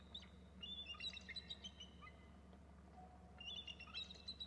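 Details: Two eagles fly in from the left and both call on landing, around 13:46: two bursts of high, thin chittering, rapid piping phrases about a second long, over a steady low hum.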